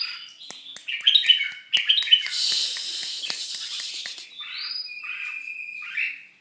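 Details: Red-whiskered bulbul during moult singing: a varied run of bright warbled and chattering notes, with a harsh buzzy burst in the middle and clear whistled phrases toward the end.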